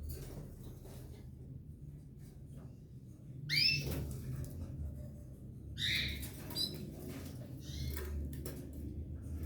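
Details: Pair of Belgian canaries with three chicks in the nest; after a quiet start, three bursts of hoarse, upslurred cheeps at intervals of about two seconds, over a low hum.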